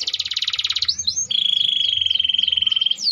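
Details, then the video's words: Canary (kenari AF), a hard-singing gerek-style bird, opens with a fast high rattling trill, gives a couple of upward sweeps, then holds a long steady whistled tone overlaid with repeated falling slurs. "Kenari AF gerek gacor gela gelo"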